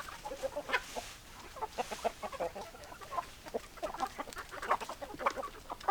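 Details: Many hens clucking together, dense chatter of short clucks and brief cackling notes with a soft hissy background.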